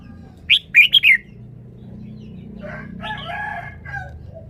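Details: Song phrasing of a red-whiskered bulbul: a rapid run of four bright, rising-and-falling whistled notes, then softer, scratchy, chattering sounds over a steady low hum.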